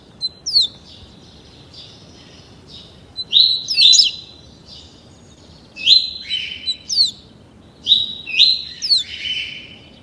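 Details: Double-collared seedeater, a 30-day-old captive-bred youngster fitted to the tuí tuí Alcântara song; a series of bright whistled phrases, slurred notes with quick descending flicks, repeated about every two seconds, quiet background.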